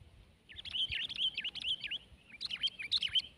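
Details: Sooty-headed bulbul, a 12-month bird competing in a tense match against a rival; two quick bursts of bubbly, warbling whistled notes with a short pause between.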